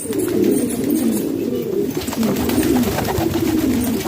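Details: Pigeons kept indoors in a house in Pakistan, dense overlapping low coos from several birds filling a small room, steady and unbroken.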